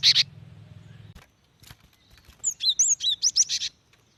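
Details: Female cinereous tit calling a male, a lure to prompt wild birds to sing; one loud buzzy burst opens, then after quiet comes a rapid run of high, sharply inflected whistles, with faint low background rumble.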